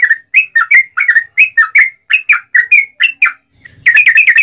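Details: Sooty-headed bulbul singing a lure song to trigger rival bulbuls: paired chattering notes rising and falling, delivered steadily, a brief gap, then a fast, dense flurry of chirps.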